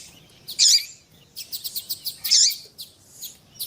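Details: Double-collared seedeater, a male answered by a female whose calls stimulate his singing: two loud rasping bursts framing a quick series of about six evenly spaced high chips.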